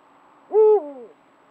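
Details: Eurasian eagle-owl calling among rocky crags near its hunting grounds in Ciudad Real, Spain, recorded on a Browning Spec Ops Advantage trail camera; a single deep, slightly falling hoot lasting about half a second over a quiet background.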